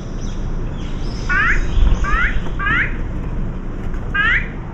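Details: Three azure-winged magpies visiting a feeding spot with cat and dog food give four short, rising nasal "kkuing" greeting calls, each a quick upward slur about once a second, over steady low background rumble.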